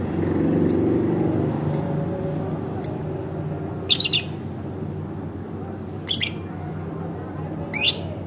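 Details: Pet lovebird kept at home, uttering short high clipped notes at about one per second, then doubled harsher squeaky chirps, over a low background rumble.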